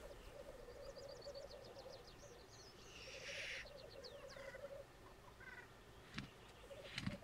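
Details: Courting black grouse at a lek on the Sallandse Heuvelrug, Netherlands, where birds from Sweden were added. A continuous low cooing bubble runs for five seconds, broken by one harsh hissing rush, while songbirds trill and twitter higher up.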